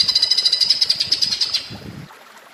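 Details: Grey-crowned green bulbul singing in a woodpecker-like style for bird training: a fast, high pulsing rattle of even notes that fades after about a second and a half, with the hiss of running water behind.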